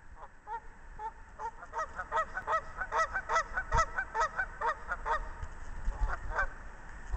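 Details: Canada geese courting on a pond at Al Sabo Land Preserve outside Kalamazoo, Michigan, on March 5, 2010. Loud nasal honks come in a rapid run of about two per second, overlapping and uneven, over a steady low rumble.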